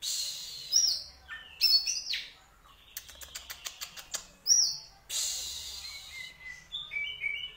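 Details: Champion Oriental magpie-robin kept for bird contests, singing sharp whistles and harsh notes, a rapid run of dry clicks in the middle, then more whistled fill-in phrases.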